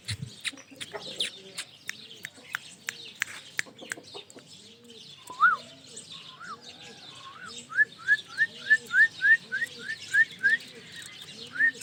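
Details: Pet ringneck parrot making scattered clicks, then a run of short, quick rising chirps repeated about three times a second. A steady low, arching hum sits underneath.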